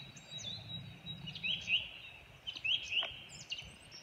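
A song thrush gives short, high, upslurred whistled notes, mostly in quick pairs, a couple of phrases within four seconds, over a low steady rumble.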